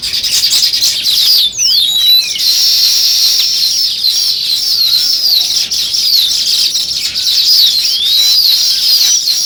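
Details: Steady chorus of sparrow chirps, many high overlapping tweets without pause, with a few sharp sliding notes near the start.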